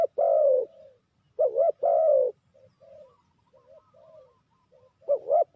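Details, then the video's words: ['Spotted dove cooing, used as bait for trapping: one long falling coo, then a short-long pair, followed by soft quiet coos and another rising pair at the close.'] "Sound Of Spotted Dove is so good"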